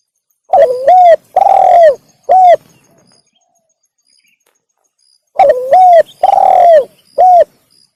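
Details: Spotted dove call used as a lure for wild doves: a three-note cooing phrase, long middle coo between two shorter ones, given twice with a pause of about three seconds, clean and loud with no other sounds.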